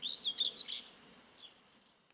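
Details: Helmeted guineafowl keets moving about busily like meerkats: a short burst of high, squeaky peeps at the start, fading to a few faint chirps and near-silence.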